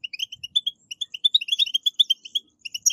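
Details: Quick, sparkling twittering from a European goldfinch, the 'batbata' type played to urge caged goldfinches to sing; clear chirps come in a rapid, uneven stream throughout.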